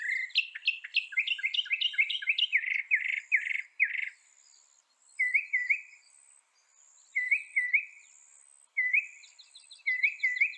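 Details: Northern mockingbird (Mimus polyglottos), North America, delivering varied song phrases: a tumbling run of repeated slurred notes, then shorter twangy phrases separated by pauses of about a second.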